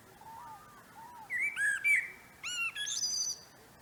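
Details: Common blackbird singing in a no-dig vegetable garden in a northern temperate climate in late March 2024, early spring: a mellow, fluty phrase of low whistled notes rising into a brief, thin, high twitter.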